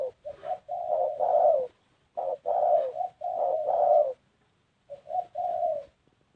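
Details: Spotted dove, unusual coo style: grouped phrases of two or three short lead notes followed by a longer swelling coo, repeated three times with pauses between, mellow and low-pitched.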